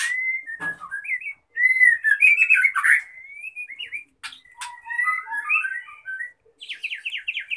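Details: Female white-rumped shama in gacor lenjeh style, calling to raise the male's breeding drive: loud, varied whistled phrases sliding up and down, a few sharp clicks, then a fast buzzy trilled series at the end.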